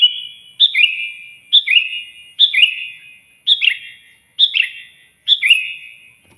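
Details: Sooty-headed bulbul giving loud, lively song meant to call and provoke a rival; six bright, bubbling whistled phrases, each a quick rising then falling cluster of notes, repeated roughly every second against a clean, quiet background.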